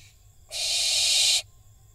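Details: Barn owl fledgling on a nest box in Israel during a fight between young birds, 7 July 2021: a single harsh, hissing screech lasting about one second, sudden start and stop, then quiet.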